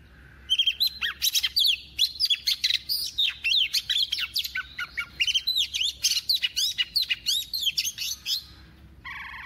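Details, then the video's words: Female Oriental magpie-robin, a decoy bird, singing to excite males with a double-voiced song: a long, dense flow of rapid varied whistles, trills and chips, hardly pausing for about eight seconds. "Choè than mái mồi hót giọng kép kích trống cực phê"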